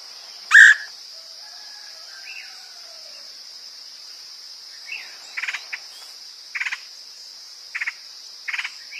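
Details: Woodpecker calls used as a lure: one loud harsh note, then a series of short stuttered rattling bursts repeated roughly every second, against a constant shrill insect drone.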